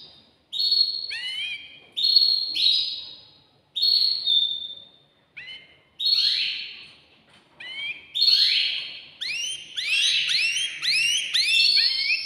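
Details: Agitated male canary singing to excite a female for mating: spaced high whistled phrases with downward slurs, building into a dense run of rapid rising and falling sweeps.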